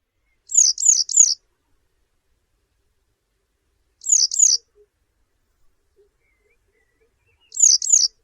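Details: A western yellow wagtail, a spring-summer migrant breeding in the UK and feeding in wetlands and damp fields, gives thin, high, soft slurred 'seep' notes in quick bursts of two or three, repeated every few seconds against a quiet background.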